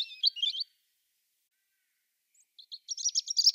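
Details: European robin (Erithacus rubecula) singing: a brief high warbled phrase of thin trills, a two-second pause, then a longer tumbling run of sweet high notes; European robin.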